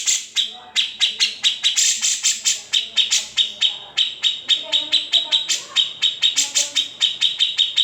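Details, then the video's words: A grey-cheeked bulbul sings in the besetan and ngetril manner prized for training other songbirds: strident high notes repeated quickly and unevenly, with faint lower sounds beneath. "Cucak Jenggot (Kamandanu) Masteran Wajib Murai Batu & Cucak ijo dan burung lain nya"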